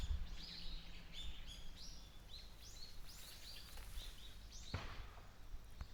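A white-eye gives a steady run of thin, high chirps, several per second, over a low background rumble.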